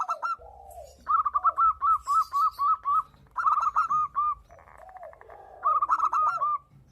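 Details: Local zebra dove (perkutut, Geopelia) in breeding condition, calling back and forth with a female: rapid strings of soft, rolling coos, several notes a second in bursts, with lower gurgling notes and faint chirps between phrases.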